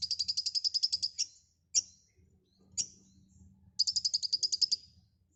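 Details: White-rumped shama, locally konin, singing actively with many filler phrases: a fast rattling trill of pulses, two isolated sharp high notes, then another rapid buzzy trill, with a steady low hum in the background.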